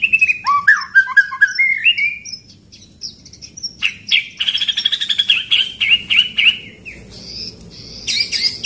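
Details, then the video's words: White-rumped shama song used as a training recording for other birds, in the pastol style with rolling 'shot' rhythm: falling whistled phrases, then a fast run of repeated sharp high notes and buzzy bursts. "Masteran pastol irama tembakan ngeroll"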